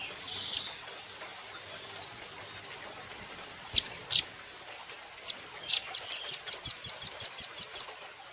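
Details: Velvet-fronted nuthatch used as a training recording for cage birds: scattered high, thin chips, then a fast, steady run of about twelve piercing notes at the end.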